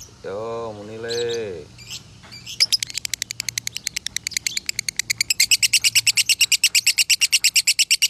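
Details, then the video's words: A lovebird's konslet song, kept at a farm in Salatiga for masteran training, bursts in after a man's voice: fast, even, piercing high chips building to a steady rapid stream about three per second. "Masteran Lovebird Konslet ASLI"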